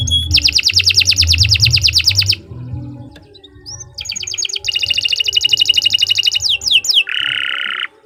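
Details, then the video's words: Long-singing canary used as a tutor: a two-second rapid trill, a quiet pause, then another long fast trill, quick downward sweeps and a buzzy low rattle ending the phrase, with low background hum. "Kicau Burung Kenari II GACOR PANJANG Cocok untuk Masteran"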